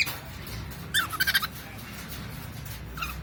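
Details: Captive cockatiel making a short burst of rapid, pulsed chattering chirps around one second in, then a single faint chirp near the end, over a continuous low household hum.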